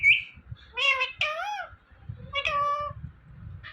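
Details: Talking Indian ringneck parrot, one of two, voicing three harmonic, meow-like phrases that bend upward then fall, each under a second, opening with a short high squeak, with faint low room murmur beneath.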